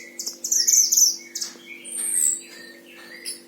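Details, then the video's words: Caged oriental white-eye, a tutor bird from Sragen, Central Java, Indonesia, in full voice. It gives high, thin chirps and trills in quick clusters with a brief rising note, over a steady low electrical hum. "Masteran Gacor Mantenan Himalaya"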